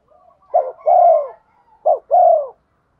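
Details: Spotted dove, a lure bird of the deep thổ voice type, delivering two low coo phrases, each a brief note followed by a drawn-out falling coo, with faint soft notes between.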